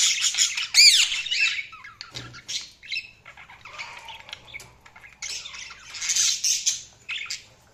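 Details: Budgies chirping: dense, scratchy warbling chatter with squawks and a bright whistled note near the one-second mark, bursts rising and falling in loudness over about eight seconds.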